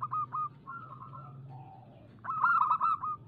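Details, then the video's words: Local zebra dove song meant to lure other doves into singing: soft trilled coos, a low quieter coo, then a louder burst of quick pulsed notes flowing into a sustained coo, over a low background hum. "Suara pancingan burung perkutut lokal gacor"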